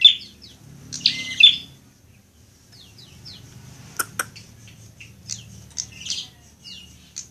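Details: Prinia in a fighting mood, on a training track: shrill chirps, then a long run of soft quick descending notes broken by a couple of clicks, and a few louder chirps near the end.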